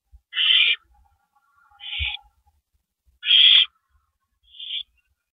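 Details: At 2:15 AM on April 18, 2012, two owls on a porch produce breathy, grating screeches of about half a second each, four in all, roughly a second apart, with the last one softer.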